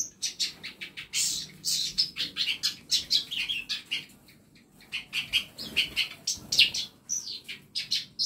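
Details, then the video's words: Mixed songbirds in a compact backyard aviary of tutor birds chirp continuously, a dense stream of high, clipped tweets and trills from several birds overlapping, with a short lull near the middle. "KANDANG AVIARY ISI NYA BURUNG BURUNG MASTERAN"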